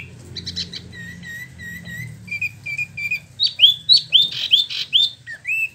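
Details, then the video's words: Spot-throated babbler in captivity in Bandung, West Java, delivering its rolling song: level whistled notes repeated several times, then louder falling whistles over a faint low hum. "Wambi Mini / Tieu Mi (Pellorneum albiventre) ngeroll"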